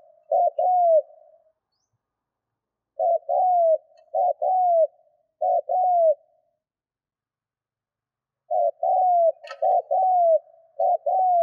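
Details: Decoy spotted dove cooing to provoke wild doves during lure training: short clipped notes followed by drawn-out, slightly falling coos, given in two bursts separated by silence, with no other sounds.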